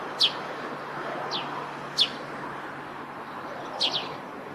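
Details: Eurasian tree sparrow at a roof where it nests, uttering sharp, downslurred chirps with long pauses, the last two falling close together, over faint constant background hiss.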